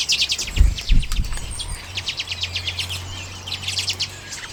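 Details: Flock of common redpolls eating sunflower seeds, late January 2022, Canon EOS M50 recording; fast stuttering chet-chet trills in repeated bursts, with low thumps early on and a faint steady drone.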